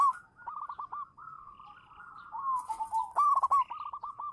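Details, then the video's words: Zebra dove, a local champion lure bird, giving softer continuous trilling coos with short dips in pitch, broken by one louder rolling phrase in the middle. "suara burung perkutut lokal manggung juara pancingan"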